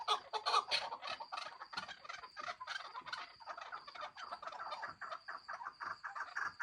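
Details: Several young Chukar partridges giving busy, overlapping short chirping clucks, louder at the start and continuing in a rapid uneven stream, over a constant faint high-pitched whine.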